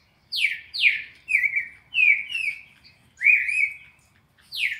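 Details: Red-crested cardinal singing a classic 4-note sequence used to train captive birds: two steep downslurred whistles, then flatter slurred notes, repeating at a steady pace with a quiet background.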